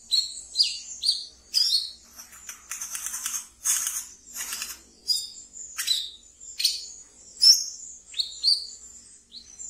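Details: Captive brown-throated sunbird (wiceh) in ngeriwik song meant as a training lure: high chirps and quick downslurred squeaks, several harsh hissy bursts in the middle, continuing irregularly.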